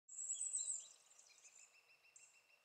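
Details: A lesser spotted woodpecker (Dendrocopos minor) gives a quick, even series of thin, high piping notes, about seven per second. A brief, very high shrill note comes just before.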